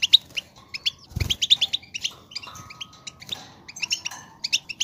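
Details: European goldfinch song for coaxing a goldfinch into song: short, repeated tinkling chirps in loose bursts, with a thud of noise early on and faint low whistled tones in the background.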